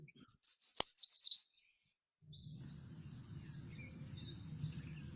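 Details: Yellow warbler (Setophaga petechia), a small migratory songbird, singing: a very high, sweet, emphatic phrase of about eight pure notes over a second, medium pace at first then much faster at the end; low rumble follows.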